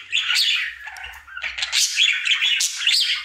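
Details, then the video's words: A male pet budgie in his daily song routine: dense scratchy warble with rising squeaks and sharp clicking notes, fairly steady in loudness, faint low rumble early on. "Budgie singing for 1 Hour Happy song!"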